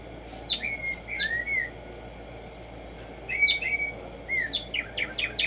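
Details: Tumba Yegua, the black-striped sparrow, giving clear slurred whistles and down-slurred notes, a pause, then more whistles leading into a quickening run of short strokes, over a low steady hum.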